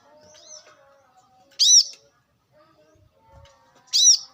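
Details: Brown-throated sunbird from the wild giving two loud, harsh, arched high notes a couple of seconds apart, with faint thin chirps between them.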